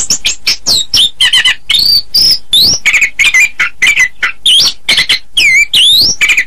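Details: Chestnut-capped thrush song: a rapid, loud run of varied notes with sharp chips, rising and falling whistles and buzzy trills, packed closely together with short gaps and no other sounds.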